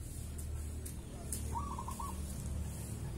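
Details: Local wild zebra dove cooing at dusk, before the sunset prayer: one faint, rolling, stuttered coo phrase over steady low hum, with regular hissy insect-like pulses high above.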